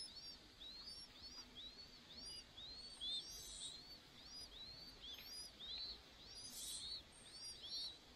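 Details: Chinese hwamei pair feeding their chicks, the mother taking over from the slow father: a busy run of thin, high, arched chirps, each rising then falling, repeated several per second, with soft rustling in the background.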